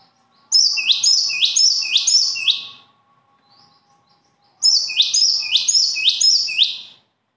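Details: High-pitched bird song comes in two bursts about two seconds long, separated by a pause of roughly two seconds. Each burst holds four rapid, identical chirping phrases. A faint low steady hum sits underneath.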